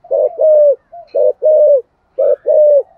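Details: Spotted dove cooing 'giọng thổ' style to encourage other doves to call; three deep short-long coo pairs, the longer notes level then dipping, separated by brief quiet gaps.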